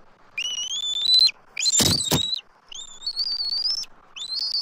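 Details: During an immature eagle's circling of a Southwest Florida nest tree in March 2024, the adults call. High rising whistles repeat with short gaps, and a loud knocking thump sounds in the middle.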